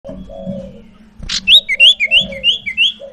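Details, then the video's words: A captive Crescent-chested Babbler (sirtu), recorded as a lure to prompt a sirtu that has stopped singing, gives a quick run of about eight bright, slurred whistles, three each second, over softer lower piping notes, a steady electrical hum and one sharp knock. "PANCINGAN Burung SIRTU Macet BUNYI"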